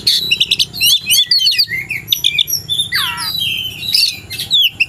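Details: Oriental magpie-robin in the afternoon, ready for a fight with a rival, delivers rapid high twittering and chirps, then a harsh descending sweep and more squeaky whistled notes.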